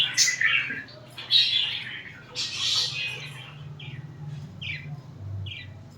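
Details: Pet budgerigars cuddling and fighting; a few loud raspy squawks in the first three seconds, then softer short chirps spaced apart over a low steady hum.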